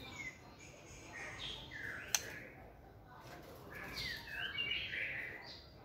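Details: White-rumped shama kept in a flight cage, singing with energy during stamina training: bright whistled and warbled phrases, some rising, some falling, with one sharp click midway and quiet hiss behind.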